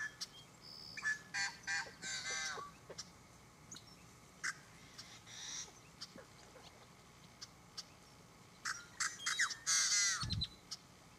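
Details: Yellow-headed blackbird at the Bruce Rd mitigation wetland, William L. Finley NWR, Oregon, giving harsh, rasping, buzzy song bursts with scratchy clicks in irregular bouts, a loud grating buzz near the end; other marsh birds call around it.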